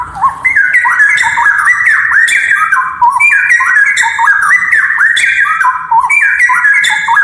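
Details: Loud straw-headed bulbul (cucak rowo) song used for training other birds: rolling, fluty warbled phrases repeated in a steady cycle of roughly three seconds, with no pauses.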